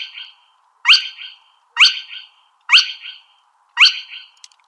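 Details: Spotted crake giving sharp, whiplash-like upward-sweeping notes, each a quick rising whistle with a short trailing buzz, repeated about once a second, five times, over a faint steady low hum.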